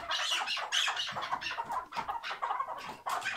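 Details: Tethered chukar partridge giving its hıngırma call: a dense, harsh chattering of raspy, clucking notes packed closely together, uneven in loudness, with no pauses.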